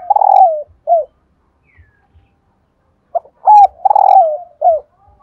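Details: Female spotted dove voice, played so that males will start cooing: two loud cooing bursts separated by a silent gap, each a long, falling, slightly rough coo followed by shorter clipped notes.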